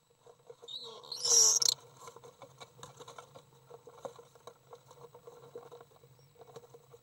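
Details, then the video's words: Young common swifts, three chicks, at a feeding session on 30 May 2012: one loud, hissing, high-pitched burst of calls, then soft scratching and pattering with a low background hum. "Three young Swifts visible for the first time during a feeding session"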